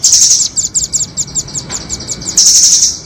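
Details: Doraemon and red-billed nuthatch calls used as a trapping lure in Indonesia: a shrill high trill, then a string of about a dozen rapid thin ticking notes, ending in another bright sustained high trill.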